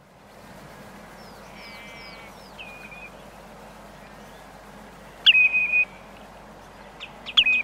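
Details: Common redshank calling: a short run of clear whistled notes around the first two seconds, then two loud, flat, piping whistles just after five seconds and brief sharp notes near the end, over a quiet rural background.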